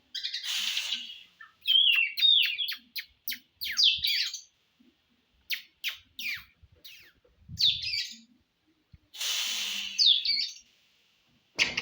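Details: Oriental magpie-robin song played to provoke a bird into contest readiness: bursts of sharp, high clicks and scratchy chattering notes separated by silent gaps, with harsh noisy blasts at the start and near the end.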